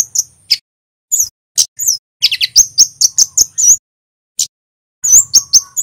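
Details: Scarlet-headed flowerpecker, a male from Java, singing intensely: high, thin, sharp chirps and wavering slurred notes in rapid clusters, a short pause, then a closing flurry of piercing notes with a faint low hum.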